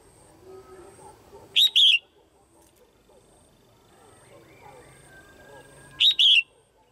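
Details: Caged female red-whiskered bulbul giving her pairing call to excite males: two loud, high double chirps about four seconds apart, each a quick note followed by a falling slur, with faint chatter between.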